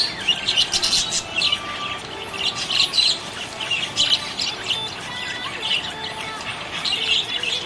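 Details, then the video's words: Happy budgerigar chirping: dense, continuous warbling chatter of quick high chirps and squeaky notes in bursts, with faint steady tones running underneath. "Happy budgie chirping sound"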